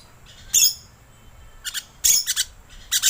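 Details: Rainbow lorikeet calls used as a lure sound: piercing, rasping screeches, one single burst and then quick doubled and tripled shrieks, with quiet gaps between them.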